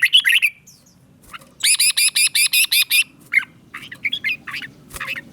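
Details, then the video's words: Caged red-whiskered bulbul, southern Thai master-style song used to rouse other caged bulbuls and tutor chicks: a quick warbled phrase, then a run of about eight harsh, buzzy, evenly spaced notes, followed by scattered chirps and twittering. "เสียงนกกรงหัวจุก สำหรับต่อ หรือ เปิดให้นกคึก"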